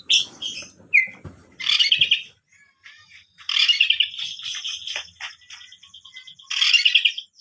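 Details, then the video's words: Oriental magpie-robin of the black variety singing persistently: varied phrases mixing clear whistles and rich rattling trills, bursts separated by short silences, with a faint low rumble early on. "BURUNG KACER DAHIT/ WULUMG GACOR"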